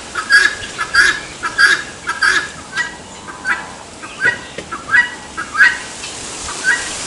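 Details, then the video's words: Rhythmic 'tô fraco' calling by a helmeted guineafowl: a series of coarse, buzzy two-syllable shrieks at a brisk pace. A short pause comes midway before the calls resume, some sounding slightly rising. "GALINHA DA ANGOLA Cantando TO FRACO! Canto do CAPOTE"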